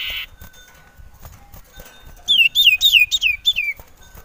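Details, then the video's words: Male common iora, used as a lure and eager to mate, giving a fast run of high whistled notes sliding downward, about seven in a second and a half, after a brief buzzy burst. "Merdunya suara cipoh sirtu ini cocok buat pancingan"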